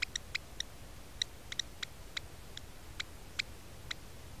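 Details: African black oystercatchers on Robben Island, a breeding pair looking on as a mole snake raids their nest and eats the eggs; short, sharp piping notes repeated irregularly, about eleven in four seconds, over a low background rumble.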